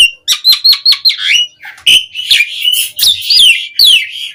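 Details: Asian pied starling in full, rich song meant to coax other starlings into singing: a dense, jumbled mix of piping notes, squeaky whistles and raspy chatter, almost without pause.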